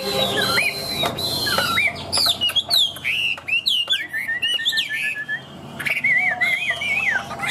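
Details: A Chinese hwamei, a tame caged bird praised for a very loud voice, sings. It gives varied whistled phrases, a sharp rising-falling series, then a rolling warbled run and bright looping notes, with a few clicks in the background.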